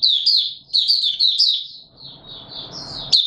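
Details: A white-eye in warm humid weather, 20 March 2022, gives high, sliding twittered notes in quick succession over the first two seconds, then a thin sustained high tone over a wash of low rustling noise.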